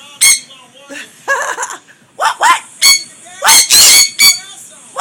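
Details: Pet sun conures with a green-cheeked conure make noise: scattered shrill squawks building to a long harsh scream near the end, with soft chatter between.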